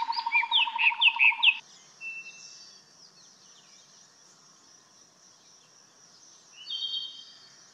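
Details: A Brahminy starling (Sturnia pagodarum), seen from a window, calls with a rapid burst of mixed chattering and whistled notes for over a second, then goes quiet, with a thin, high whistle returning near the end.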